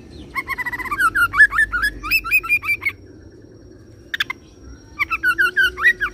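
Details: Kacer, the oriental magpie-robin, delivering a roll song with cililin and serindit imitation: a long held whistle, then rapid repeated slurred notes, a brief pause, and another quick whistled run.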